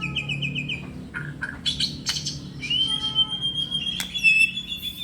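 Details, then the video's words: Contest-ready white-rumped shama singing a string of quick repeated notes, a few sharp clicks, then a long clear sustained whistle, over a low background hum. "burung murai gacor"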